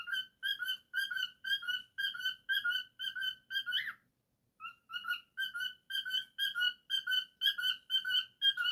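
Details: Kept cockatiel whistling a long steady string of ringing notes about two per second, breaking briefly with a squeaky upsweep before resuming the same repeated pattern.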